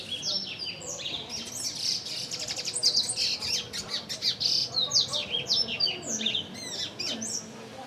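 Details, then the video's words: Several double-collared seedeaters fighting and singing in the Brazilian Sertão: a fast, high-pitched run of chattering twitters and buzzy trills that continues almost without pause. "Canto do Papa Capim"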